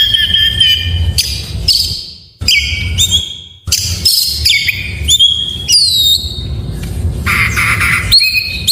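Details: Oriental magpie-robin song in full isian style, used to rouse silent birds: a long sequence of varied whistles, quick downslurs and harsh bursts, broken by two short pauses, with steady low hum behind.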